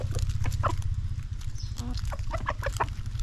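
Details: Chickens in a backyard give quick, choppy clucks, about four a second, layered and irregular, with a brief higher squawk midway and a constant low background hum.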